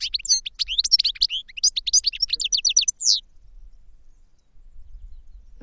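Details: Goldfinch giving about three seconds of rapid, tinkling twitter with downslurred chirps, then falling silent, leaving only a faint low background hum.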